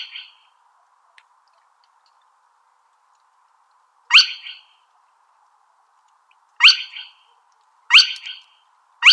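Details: Spotted crake uttering sparse, sharp rising whip notes: one after a long silence, then three more at uneven gaps of one to two seconds, with a faint low hiss between.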